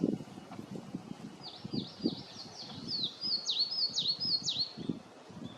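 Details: Eastern crowned warbler singing from high in a tree, heard from several directions but hard to see; a series of thin, sharply slurred high notes repeated rapidly, fairly faint over low rumbling background noise.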